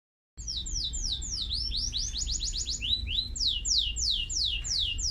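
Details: Canary song in a series of rapid descending whistled sweeps, repeated about three per second, with a brief faster trill in the middle and steady low background hum throughout.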